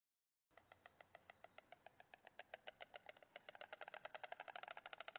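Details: White stork chick on the nest, 7 May 2017, clattering its bill and losing its balance while doing so: a dry, woody rattle of rapid knocks that speeds up and grows louder toward the end.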